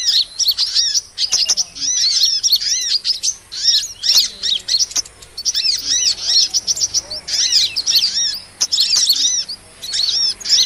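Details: Sunbird lure recording used to attract small birds for trapping: dense, high, thin twittering chirps and down-slurred notes in rapid overlapping bursts with brief pauses, plus a faint steady hiss.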